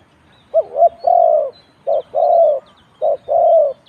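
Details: Spotted dove cooing in a competition, round 41: a wavering double coo followed by a long steady coo, then two more short-then-long coo pairs, low and mellow, nearly clean background.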